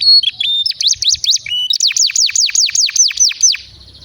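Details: Canary in long 'gacor' song used as a master and prompt for young canaries and silent birds: a few high flat whistles, then a rhythmic series of rapid descending high notes before fading out.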